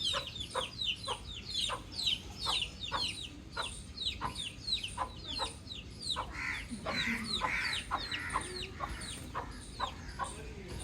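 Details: Outdoor baby chick chirping steadily with high falling peeps roughly twice a second, while a lower, rougher bird call briefly joins in around the middle.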